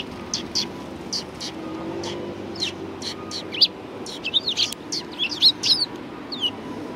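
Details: Sparrows at a Tenmangu shrine on 1 March 2020: short, sharp high chirps scattered irregularly, thickening into a busy cluster of overlapping tweets near the end, over a soft low background hum.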